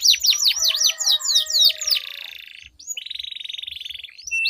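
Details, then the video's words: Canary in a singing duel, used as a lure to get silent canaries singing, with long rolling song: fast repeated swooping whistled notes, then a buzzy sustained trill, a brief gap and a steady rapid roll; faint low thumps beneath. "Duel Burung Kenari Suara Merdu Ngerol Panjang || Pancingan Ampuh Kenari Macet Gacor Ngerol Panjang"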